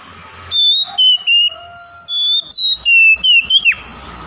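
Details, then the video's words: Oriental magpie-robin song for luring silent birds into singing: a string of short, loud, pure whistled notes, each level or gently sliding, ending in a quick falling twist, with soft lower tones beneath. "PANCINGAN KACER BISU MALAS BUNYI AGAR CEPAT NGEPLONG DAN GACOR"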